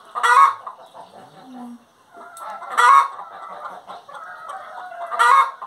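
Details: Hen singing: three loud, rasping squawks spaced roughly two and a half seconds apart, each rising out of continuous low clucking and chatter, with a short low moan between the first two.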